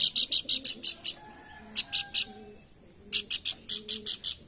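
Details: Pelanduk bukit call used as a lure to stimulate singing: bursts of rapid, bright, clipped notes, about six per second, broken by a silent gap and resumed, with faint low tones beneath.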